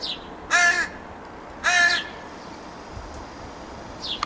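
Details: A young crow with its parents whines to beg: two loud, nasal, harsh calls about a second apart, each lasting a third of a second, with a quiet background.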